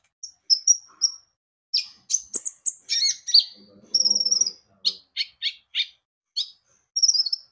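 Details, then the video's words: Javan white-eye song played as a lure to get birds singing: high whistled notes, a jumble of quick chirps, a short buzzy trill, then evenly spaced sharp high notes and a final slurred whistle. "Pancingan Kicau burung konin gacor"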